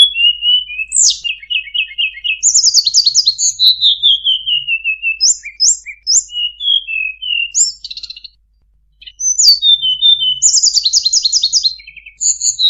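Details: Sunda bulbul tutor song with full filler phrases, for training birds: high whistled notes sliding downward, short repeated chirps in quick runs and buzzy trills, phrases about two to three a second, with a brief pause near eight seconds.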